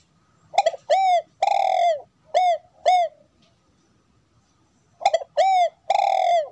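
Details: Spotted dove hen cooing to encourage a male to sing, with phrases of short downward-bent coos and a longer drawn note, a quiet pause of about two seconds, then the pattern repeating.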